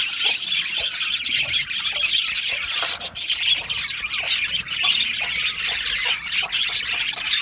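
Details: Aviary of Australian budgerigars chirping and singing: busy overlapping squawks and scratchy warbles form a constant high chorus, with a few louder harsh calls standing out.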